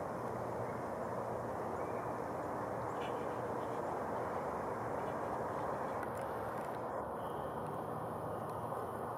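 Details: Constant broadband roar of wind or distant traffic fills the whole recording, with no animal call standing out.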